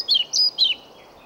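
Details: Brief fragment of male pied flycatcher song, sung to a female in Sweden: three quick high notes, the first and last dipping downward, the middle one a higher, flat whistle.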